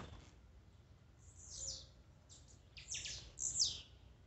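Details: Blue-black grassquit song used to excite a caged bird: a buzzy downward note, then a cluster of three rapid, raspy high bursts near the end, with a quiet background.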